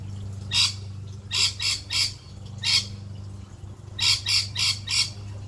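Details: Wild male rainbow lorikeet in an Australian garden, a daily visitor, curious on first coming close to a garden fish tank: sharp, harsh screeches in short bursts, often in quick runs of three or four, over a steady low pump hum.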